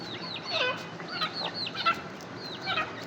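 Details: Partridge (teetar) giving quick, hooked, downward-bending notes in clusters, fairly loud and repeated at short intervals against a low, even noise floor.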